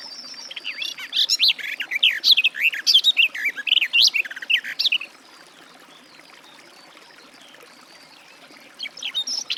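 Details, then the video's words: Garden warbler delivering a vigorous four-second warble of rapid slurred notes, preceded by a thin high tone, then silence before the song resumes at the very end. "Warbler garden, birdsong"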